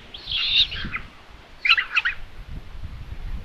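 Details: At a live-cam nest in Tiszalök, Hungary, on 27 May 2022 around 12:23, Common Buzzard chicks give two bursts of thin, squeaky, high-pitched cries a second apart as the mother brings another chick for lunch, over low wind rumble.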